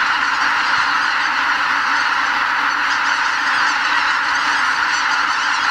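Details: Before sunrise at Miyajimanuma wetland in Hokkaido, migrating greater white-fronted geese depart the roost in large numbers for farmland; an unbroken mass of overlapping honks and cackles.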